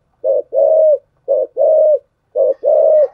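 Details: Thúc gù cooing from a spotted dove with a thổ sấm style voice: three even pairs, each a brief coo then a longer sustained one, spaced just over a second apart.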